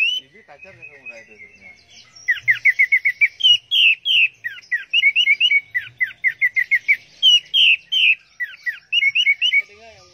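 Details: Teler song from an orange-headed thrush: long chattering strings of quick, slurred whistled notes, each phrase several notes rolling together, kept up almost continuously for about eight seconds.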